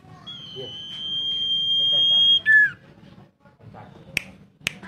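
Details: Common iora (Aegithina tiphia) song: a long, steady, high whistle held about two seconds, dropping to a short lower note, then two sharp clicks.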